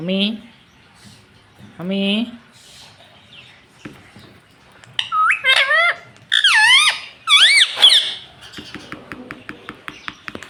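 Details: Talking pet rose-ringed parakeet produces two low nasal syllables, then a run of loud wavering, bending squawks that rise and fall. Faint clicks and small noises sit in the background.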